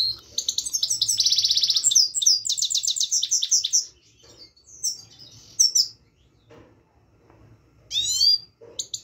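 A Himalayan goldfinch sings a fast, bright twittering song with a dense buzzy trill, breaks off, then adds a short burst of high chirps. A faint low hum runs underneath.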